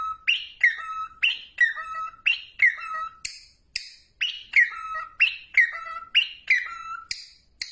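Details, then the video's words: Whistling cockatiel: quick series of clear, downward-sliding whistles, each ending on a steady lower tone, repeated rhythmically with occasional higher shrill notes, in a quiet setting. "Beautiful whistling of Cocktail parrot"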